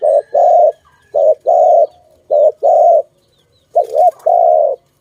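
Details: Dove cooing in a bird-trapping setting: low, soft two-part coos, a short note followed by a longer one, repeated about every second, against quiet surroundings.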